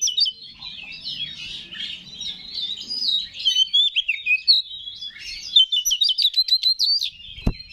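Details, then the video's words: Oriental magpie-robin, used as a lure song to rouse other magpie-robins, sings an unbroken, rich run of varied high whistles, chirps and fast buzzy trills, ending with a sharp click. "Pancingan Menaikan Emosi K4CER"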